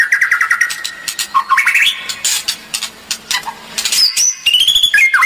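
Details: Kretekan song of a white-rumped shama, used to provoke rivals, dated 24 January 2023: stuttering sharp notes at first, then buzzy harsh bursts mixed with rising whistles and a final run of clear whistled notes.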